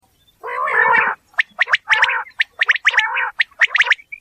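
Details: A quail, recorded in a real natural environment, gives a harsh, gargling rasp, then a quick run of sharp, high clicking notes mixed with more raspy bursts, all within about four seconds.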